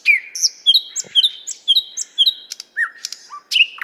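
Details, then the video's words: Nightingale song from a Moscow park, the 50th Anniversary of October park: a varied string of sharp whistled notes, clicks and short slurs delivered in quick irregular succession, mostly high-pitched, with no other sounds. "Соловей поёт"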